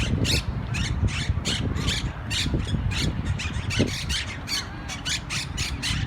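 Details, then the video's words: A noisy flock of green parakeets in a tree at Barton Springs, Austin, on 27 December 2018, louder than the grackles, gives harsh, screechy, overlapping squawks, several a second, over a steady low background rumble. "Green parrots making more noise than Grackles"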